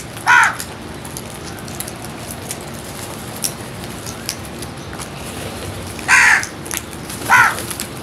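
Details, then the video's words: Crows at a feeding spot: one harsh caw, a long pause with soft background patter, then two more rasping caws close together near the end. "Crows Sounds | Crows lovely and wonderful world | Crows feeding"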